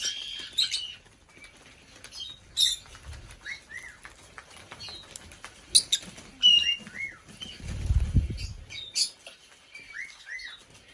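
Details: A five-year-old female white-bellied caique in a bird room on her birthday, 9 February 2022, gives scattered short squeaks and arched chirps with clicks, soft thumps and fluttering between calls.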